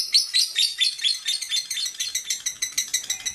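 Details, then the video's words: Elderly female lovebird giving rapid, scratchy, high-pitched chirps in a steady run. Notes come about five or six per second, loudest at the start and easing slightly toward the end. "Panggilan suara lovebird betina tua"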